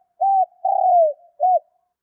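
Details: Captive spotted dove cooing to provoke wild doves into answering quickly: three low hollow coos, a short one, a longer one sliding downward, then another short note, in a quiet setting.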